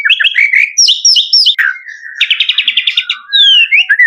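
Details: Singing male white-rumped shama: quick upward-slurred whistles, a descending glide, then a rapid chattering trill and long clear whistled notes, delivered without a break.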